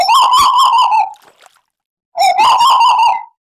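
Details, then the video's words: Tuwu bird, recorded as a lure track to stimulate caged birds. Two loud, rich whistled phrases around a steady mid pitch with fast wavering ripples, each lasting about a second, separated by a pause. "Tuwu Gacor Audio - Tembakan Lampiran Burung Tuwu Gacor Sadis"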